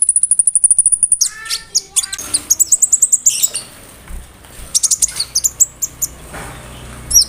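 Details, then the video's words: Konin bird song full of mimicry, cricket included, used to tutor songbirds; opens with a fast cricket-like series of even high pulses, then varied chirps, whistles and chattering bursts. "SUARA KONIN GACOR ISIAN JANGKRIK, BREM, KAMADE, RAMBATAN FULL MEWAH"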